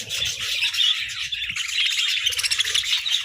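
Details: A group of budgies squabbling over favourite treats, pouring out rapid twittering chirps and buzzy warbles without pause, with faint low scraping below.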